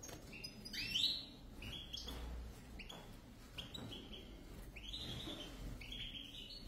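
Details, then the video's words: Goldfinch pair (European) producing scattered bright chirps and short twittering runs, a louder rising note early on, then softer phrases over a steady low hum. "زوج حسون لطيف"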